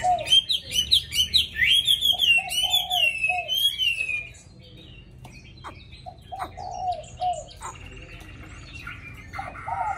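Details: A caged Hwamei, tame but with a wild-type voice, sings readily: a burst of fast, rich whistled trills and slides for about four seconds, then quieter scattered lower whistled notes.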